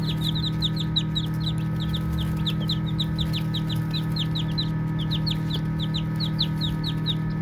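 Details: Many baby chicks chirp while playing. Clear, high, sharply descending peeps come in a busy, almost continuous stream, with a soft low hum in the background.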